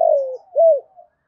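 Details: Decoy spotted dove cooing to attract wild doves: the tail of a long falling coo, then a rounded arched note and a faint soft final note.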